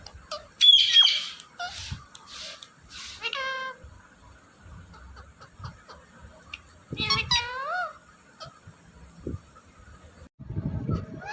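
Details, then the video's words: Talking parrot giving a loud, shrill squawk, then a short burst of stacked rapid notes and a harsh, drawn-out call that curves downward, separated by quiet pauses with faint low rumbles. "Talking Parrot"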